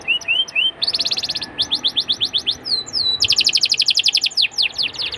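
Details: Atlantic canary song used to coax young canaries into singing, shifting between short upslurred chirps, rapid buzzy trills, a sweeping slurred whistle and dense rattling rolls, high-pitched and loud.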